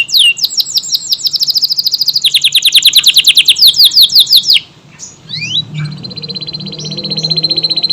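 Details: Kenari AF canary pours out a tight, rapid trill of sharp descending notes for over four seconds, pauses, then adds a few swooping whistles and a steady buzzing trill, with low room hum beneath.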